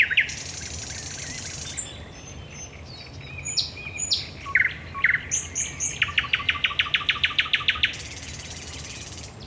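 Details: Thrush nightingale singing in darkness at Raszyn Ponds on 10 May 2021: an opening buzz, whistled and clicking notes, then a long steady rattle of a dozen or more loud strokes and a hissing buzz.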